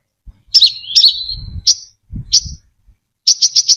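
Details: Lure recording of a brown-throated sunbird with no background noise: two descending slurred phrases, a pair of isolated sharp chirps, then a quick burst of four high notes.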